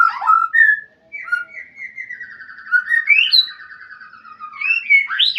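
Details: White-rumped shama calling a rival: bright slurred whistles open, followed by a long even trill that slowly drops in pitch, punctuated by rising sweeps and ending with sharp upward-slurred notes.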